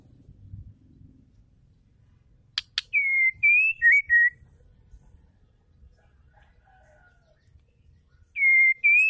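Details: A female white-rumped shama sings to spur male shamas into song. Two sharp clicks come before one whistled four-note phrase, then a quiet pause, and a new phrase begins at the end.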